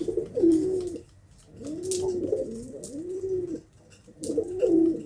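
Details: Pigeon coo sequence: deep, rounded, rolling phrases each lasting about a second, separated by brief pauses, with soft clicks above.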